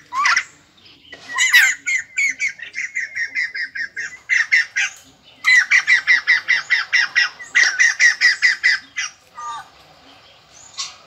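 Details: White-crested laughingthrush, a captive bird being trained to sing in 2020, utters long loud rattling series of rapid repeated notes, about two or three per second, broken by brief pauses and ending with scattered single calls.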